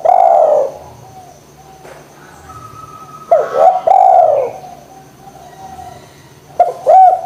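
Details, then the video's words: Spotted dove, a call used to stir silent doves into cooing: long falling coo, a soft pause with faint background hums, then double-noted coos with sharp rising starts, a short clipped coo at the end. "DERKUKU GACOR PANCINGAN JITU ATASI DERKUKU MALES BUNYI"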